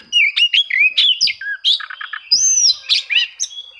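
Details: Loud, rich Oriental magpie-robin song aimed at provoking rival birds to sing: rapid chains of sweet whistles, slurred rising and falling notes, a quick stuttered series and one long drawn whistle, a thin steady tone underneath.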